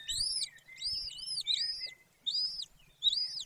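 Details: Wild golden eagle nest, Bucovina, Romania, 18 May 2024 at 14:19: clear high whistles rising and falling, some running together in pairs, with gaps of near silence between bursts.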